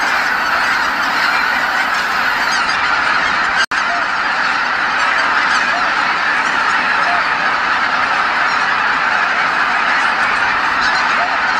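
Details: Tens of thousands of wild geese return to Kabukuri-numa marsh at dusk after feeding, all calling together: a dense, unbroken roar of overlapping honks fills the clip, with one brief dropout near four seconds.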